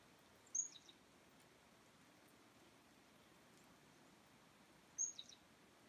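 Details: Chickadees out in the cold, winter afternoon of January 2, 2019, 2:10 PM: two separate calls about four seconds apart, each a high sharp note dropping into a few lower, husky notes, with quiet hiss between.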